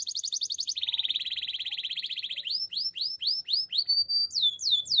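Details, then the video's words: Spanish timbrado canary in song: a quick high pulsed roll, then a lower buzzy rattle, followed by a series of separate swooping notes that rise and fall, repeated roughly every third of a second. "Spanish timbrado canary singing!"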